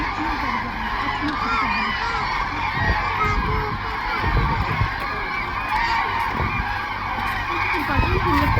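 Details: A flock of 500+ migratory common cranes resting in the wetland at Thol Lake Bird Sanctuary, Gujarat, India, during migratory season, calls in a dense chorus of overlapping honking, trumpeting notes over low rumbling and some voices.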